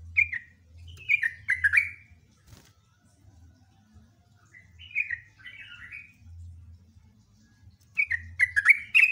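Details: Sooty-headed bulbul in loud rapid song, here delivered in scattered bursts. Short fluty, chattering phrases sound at the start, in the middle and at the end, separated by quieter gaps with a low hum.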